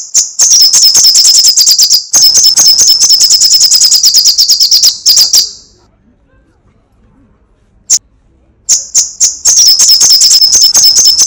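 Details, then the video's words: Rapid crecetan chatter from a lively sunbird (kolibri sogok ontong, srigati): bursts of thin, high, piercing ticks run together, broken by a pause of about three seconds and one lone note before resuming. "Suara crecetan burung kolibri sogok ontong /srigati gacor"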